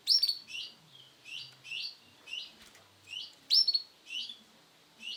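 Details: Sunkist-coloured male canary uttering clear, high, downslurred chirps, some doubled, with a couple of louder sharp notes standing out among the quieter ones.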